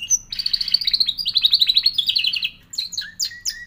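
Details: Canary song with a long run of fast rolling notes that step gently downward for over two seconds, followed by a few sharp, separated chirps and downward whistled slurs.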